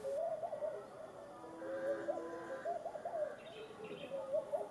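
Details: Laughing dove at Farakunku Lodges near Tujering, The Gambia, in December 2015, around the water bowls: soft, bubbling low coos in short rising-and-falling phrases, with faint high chirps from another bird in the background.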